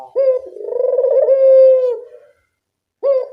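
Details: Puter dove in full, vigorous calling form, recorded as a training call to prompt quiet doves: one long drawn-out coo with a brief rising start, a steady throbbing middle and a trailing fade, then the next coo beginning.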